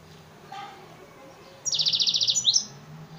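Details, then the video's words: Hybrid F1 of African singer and Mozambique serin (yellow-fronted canary), a cage bird from Souk Ahras, Algeria, giving a bright rapid trill of about ten evenly repeated high notes, then a short upslurred whistle, over faint background hum. "Hybride F1 chanteur d Afrique x serin Mozambique يخدم تغريد"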